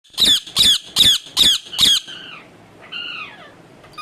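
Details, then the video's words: Pet talking parrot giving five harsh, loud squawks about every 0.4 seconds, followed by a softer descending whistled note and a quiet, clear tonal call. "bolane wala tota"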